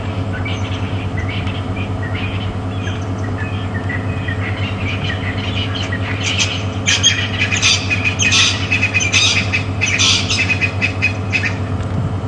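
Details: Excited francolins give harsh, grating squawks in loud bursts that build toward the middle, over a steady engine rumble and rain patter, during an afternoon safari drive at Djuma Game Reserve, South Africa, on 23 November 2015.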